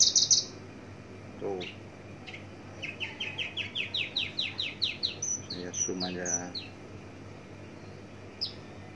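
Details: Javan bush lark, parva form, in a varied song with complete imitated fill-ins: a buzzy high opening, scattered calls, then a fast series of descending slurred chirps, some lower rattling notes and thin high whistles near the end.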